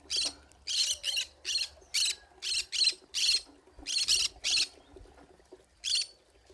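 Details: Pineapple conure found in a forest, giving a rapid series of about fourteen raspy, screechy squawks that thin out and fade toward the end.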